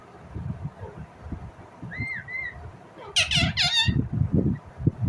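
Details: Indian ringneck parrot: two soft, short rising-falling notes, then a burst of rapid, harsh, rasping squawks near the end, partly masked by steady low rumbling noise.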